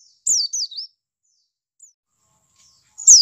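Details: White-eye call used to prompt captive birds to start singing: high thin descending whistled notes in a quick cluster of three, a faint short note later, then another sharp high note at the end; clean background.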